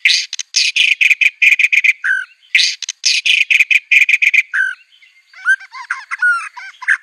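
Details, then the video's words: White-rumped shama in full, aggressive song with imitated material of canary, cililin, cungkok and ciblek; runs of rapid buzzy, rattling bursts alternating with short whistled notes, then a tumbling chatter of varied chirps and slurs. "MURAI BIRD SINGING NGAMUK NEMBAK MATERI SANGAR | KENARI CILILIN CUNGKOK LB KAPAS TEMBAK"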